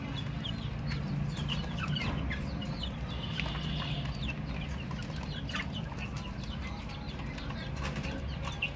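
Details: Chicks peeping continuously, many brief high down-slurred chirps in an uneven stream, with occasional rustling and a constant low hum beneath.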